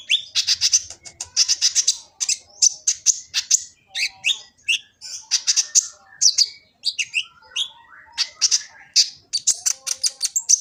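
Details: Kolibri ninja sunbird in Gresik, East Java, sings a full, varied song used to train and stimulate other birds, recorded on an Android phone: fast, dense high twittering with scratchy chirps and occasional lower slurred notes.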